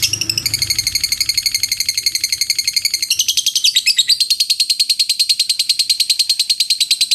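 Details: Lovebird giving a long ngekek trill: an unbroken, rapid, high buzzing chatter pulsing several times a second. Its pitch shifts partway through, then it carries on steadily for over seven seconds.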